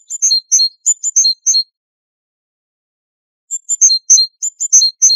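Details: Great tit, a familiar garden bird kept and trained by bird breeders, singing its metallic song, likened to tapping on metal: two bursts of high, ringing, rapidly repeated two-note phrases separated by nearly two seconds of silence.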